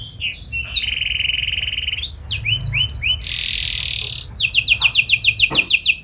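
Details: Canary song with a long steady buzzing trill, several rising whistled notes, a loud harsh rolling phrase, then a fast series of repeated chipping notes.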